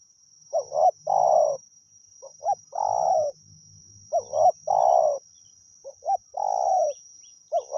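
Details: Wild spotted dove lured with a decoy, cooing steadily: two short clipped notes, then a long, buzzy, slightly falling coo. The phrase repeats about every two seconds over a steady high electronic whine.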